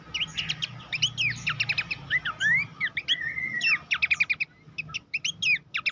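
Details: Horsfield's babbler master song for training contest birds: fast strings of sharp chirps and downslurred whistles, a drawn-out level whistle near the middle, then crisp repeated staccato notes after a short gap.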